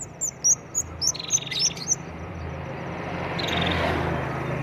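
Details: Ashy tailorbird, locally called kemade or bangsit, singing actively: sharp, very high chirps repeated rapidly over the first two seconds, then a short buzzy note, over a steady low hum.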